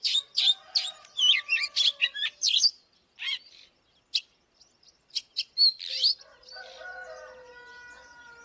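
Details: Oriental magpie-robin song used to stir a wild-caught bird into fighting: a burst of sharp chirps and twisting whistles, then a pause and scattered notes, ending with quieter sustained tones in the background.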